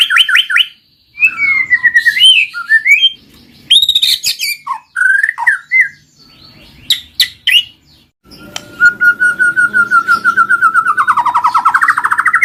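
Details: White-rumped shama kept in a cage, singing a lure song: varied whistled and chattering phrases with pauses, ending in a long rapid buzzy trill that falls then rises.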